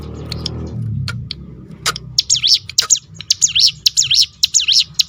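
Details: Crested honeyeater (ciblek gunung) in a rapid 'tembakan' roll used to draw song from other birds. A low rumble and a few scattered clicks come first, then fast, high, zigzagging notes repeat in a rattling, almost unbroken run.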